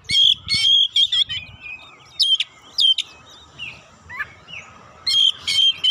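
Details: Oriental magpie-robin (kacer) song to trigger singing in other birds: loud whistled bursts with harsh chatter, short downward slurs, pauses, then another strong burst of whistles.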